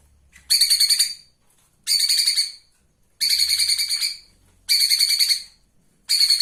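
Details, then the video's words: Live master recording of a flowerpecker for cage-bird training: sharp, high, rattling trills of about a second each, repeated roughly every one and a half seconds in a steady rhythm over near silence. "SALAH SATU MASTERAN KONIN MEWAH, Masteran burung hidup"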